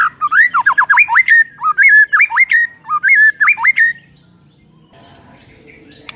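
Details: White-rumped shama song used to provoke a lethargic bird: loud mellow whistled phrases of hooked, bending notes repeated in quick groups for four seconds, followed by quiet background.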